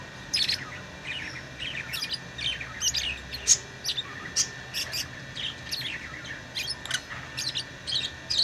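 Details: Steady run of shrill lovebird chirps and short scratchy squeaks scattered across the whole stretch, with a constant faint electrical hum underneath.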